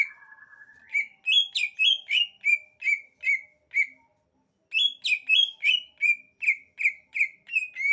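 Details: Greater green leafbird singing: opens with a low flat note, then a run of bright repeated chirped phrases, a brief pause, and another fast series of similar notes slowly falling in pitch.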